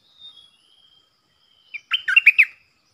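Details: Song of a stripe-throated bulbul kept as a decoy for luring wild birds and tutoring young birds: a faint thin whistle, then a short, loud run of five or six gurgling, warbled notes.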